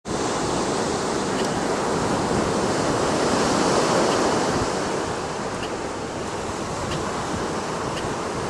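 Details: Steady roar of ocean waves breaking on the shore, with wind buffeting the microphone and no clear animal calls.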